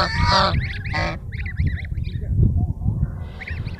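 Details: Ducklings chirping: brief high, wavering peeps in quick clusters, with two loud, harsh, nasal honks from a larger bird at the start and a steady low rumble underneath.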